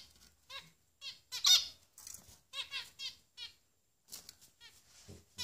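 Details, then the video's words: Three growing finch nestlings give short, high trilled squeaks in separate bursts with quiet gaps, plus a few soft rustles near the end. "Finch Babies"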